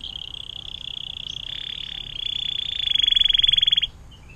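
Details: Atlantic canary with long 'air mancuran' water-fountain song, a tutor recording for other songbirds: one extended rapid trill that grows louder and more distinctly pulsed for nearly four seconds before stopping abruptly.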